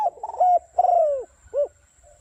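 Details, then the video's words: Spotted dove lure call, 'thúc bổi' style for trapping, delivered fast and strong: a stuttered coo, a long gliding note falling in pitch, then one short rounded coo after a pause. "Tiếng Chim Cu gáy mồi thúc bổi tốc độ cực mạnh"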